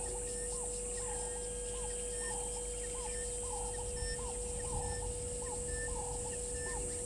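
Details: Red-billed buffalo weaver at Gowrie dam waterhole, Djuma Game Reserve, Sabi Sand, South Africa, in late November; short arched calls repeated about every half second over a steady hum and constant hiss.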